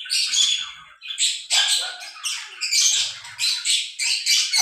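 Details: Shrill, nonstop lovebird chattering, rough and squeaky with pulsing bursts, comes from a breeding pair while they mate.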